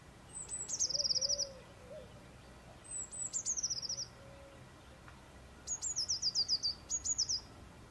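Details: A Eurasian blue tit (Cyanistes caeruleus) sings high, thin notes followed by a fast silvery trill, repeating the phrase three times over a few seconds.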